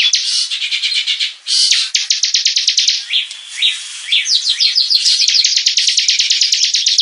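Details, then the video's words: Bar-winged prinia in full song, used to tutor other birds: rapid bursts of high chirps alternate with a few separate slurred upward whistles mid-way, then resume as a fast, steady chirping run. "SUARA BURUNG CIBLEK GACOR"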